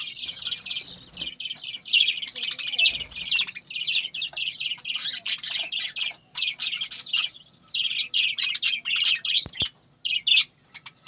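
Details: Many captive budgerigars at a breeding farm chirp at once, making a dense, continuous high chatter of overlapping warbles and squeaks with only brief gaps.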